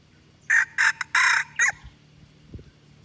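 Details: Red junglefowl lure call from Aceh, used for luring wild birds: a loud, broken crow of four hoarse bursts over about a second, the third longest, then a faint low scrape and steady low hum behind it.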